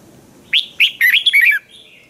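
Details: Caged red-whiskered bulbul in Thailand, kept as a song bird, giving a training song: one burst of rich, warbled whistled notes lasting about a second, sweeping between mid and high pitch, with quiet background.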